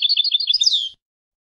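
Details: European goldfinch singing, Palestine: a quick rolling trill of repeated chirps, about ten per second, ending in a drawn-out buzzy, descending nasal note.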